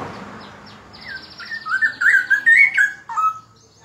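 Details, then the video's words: Straw-headed bulbul in loud, melodious song: a rich, bubbling warble of slurred, rising and falling whistles that swell in volume, then fade with a final lower note, over faint background noise. "Cucak rowo gacor suara lantang dan merdu"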